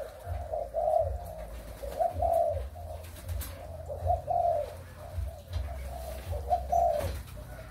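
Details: Breeding spotted doves of Malaysian and Thai origin, recorded 23 August 2021, giving four clear cooing phrases about every two seconds, each a soft swelling double note, over a steady low rumble.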